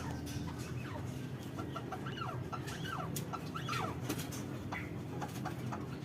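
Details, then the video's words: Arabian partridge recorded on 3 January giving a run of harsh, clucking chuck notes, several per second, over a steady low hum. "Arabian Partridge"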